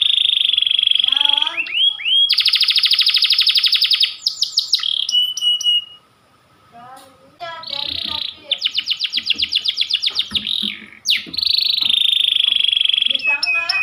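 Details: A panda canary sings insistently in long shooting phrases: high buzzy trills, rapid rolling notes, sustained whistles and sharp chips, with a brief pause near the middle.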